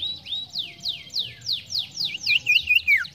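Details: Ashy tailorbird, called sirtu, in vigorous song: about eight loud steeply falling whistled notes roughly every third of a second, ending in rapid looped whistles and a downward slur.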